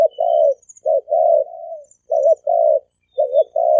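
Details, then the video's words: Male and female spotted doves give thổ kim coos meant to provoke wild doves: steady low hollow notes in quick pairs and longer drawn coos, almost without pause. "Tiếng chim cu gáy thổ kim kích bổi trống mái"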